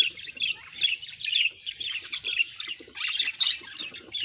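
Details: Pet budgerigars whose calls are said to express their emotions: bursts of bright, scratchy chirping and warbling, broken by short pauses, with the loudest flurries near the middle and end.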